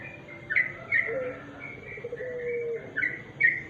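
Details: Sooty-headed bulbul, recorded naturally at dusk, giving short bright chirped notes near two kilohertz in small bursts every half second to a second, over faint low steady tones and a background hum.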